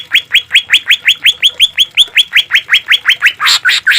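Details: Green leafbird recorded as a master song for caged birds: a long string of quick rising whistled notes, nearly three per second, ending in louder harsh raspy notes.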